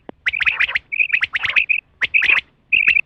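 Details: Female rain quail call, recorded for quail hunting: sharp high chirps in quick clusters, some doubled, with short pauses between bursts.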